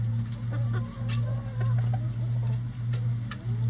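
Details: Chickens in their run busily pecking apart a hung cabbage ball as a boredom buster; brief low clucks and soft purring notes are scattered through, with sharp pecking clicks, beneath a constant deep droning hum.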